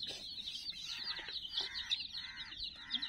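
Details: About 60 chicks crowding around a toy teddy give nonstop shrill peeps, overlapping into a busy high chatter, with short, lower, bowed calls repeating roughly every half second.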